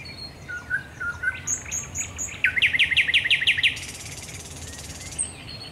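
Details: Thrush nightingale singing at night at Raszyn Ponds on 10 May 2021: soft low whistles, then high thin notes, then a loud rapid rattle of about ten sharp strokes, ending in a hissing buzz.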